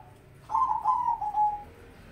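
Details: Crossbred zebra dove with mocha colouring giving a single burred coo that starts abruptly, holds a buzzy trill, then tails off slightly lower, over a quiet low hum.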